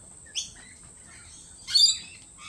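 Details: Two lorikeet calls at a lorikeet cafe: a brief squeaky note, then after about a second a louder, shrill, rasping chirp, over a faint continuous high tone.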